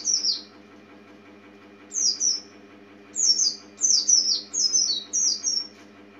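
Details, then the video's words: White-eye (pleci) gives high, thin twittering phrases of quick descending notes in short bursts, spaced about a second apart, over a faint steady hum. "Kicau Burung Kacamata"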